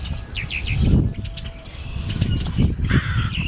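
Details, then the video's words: Late on Good Friday afternoon in 2010, after heavy morning rain and wind, a crow calls: a quick run of three short, hoarse caws, then one more near the end, set against a low, gusty rumble. "Holy Week Crow Making Noise"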